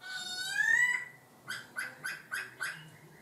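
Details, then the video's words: Laughingthrush singing with varied voice: a long rising whistled note, then five short, rich, harmonic notes evenly spaced about a quarter second apart, in a quiet background. "chim khướu hót hay đảo giọng"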